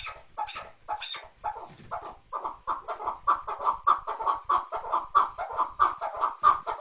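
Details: Chukar partridge starting with a few scattered clucks that build into a steady, loud series of rhythmic chuck notes.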